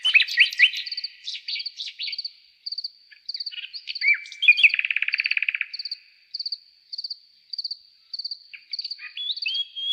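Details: Nightingale song with rapid chirping notes at first, then a long buzzy rattle, and later a few rising whistles, set against continuous pulsed cricket chirps.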